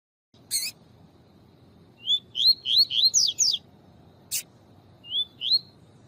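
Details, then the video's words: Tui tui style double-collared seedeater with a chirping female that excites the male: a fast string of about six rising whistles, then a pair of softer upslurs, with sharp clicks before and between. "Destrava Coleiro tui tui com coleiro e fêmea piando para esquentar coleiro tui tui"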